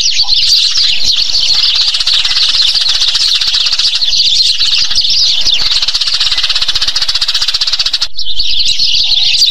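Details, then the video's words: A flock of Eurasian tree sparrows (Passer montanus), recorded in Thailand, chatters in a dense, unbroken stream of sharp, high chirps and cheeps, with a brief lull near the end. "เสียงนกกระจอกบ้าน - Eurasian Tree Sparrow Sound"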